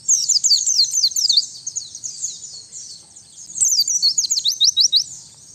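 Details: White-eye song used to lure wild birds and tutor songbirds, recorded free of surrounding noise: rapid high twittering of quick downslurred notes in a dense run, a short pause, then another burst ending in crisp repeated slurs.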